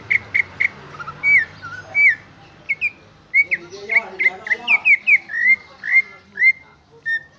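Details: Greater green leafbird singing its original song without fill-ins: a varied, lively series of clear whistles, some slurred upward and some downward, delivered in fast bursts with short gaps between them.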